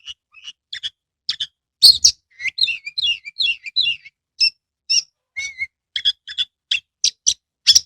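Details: Quieter song from a caged Oriental magpie-robin, used to coax silent birds into singing: scattered high chirps, then a rolling series of warbled, descending notes and a run of sharp, spaced whistles.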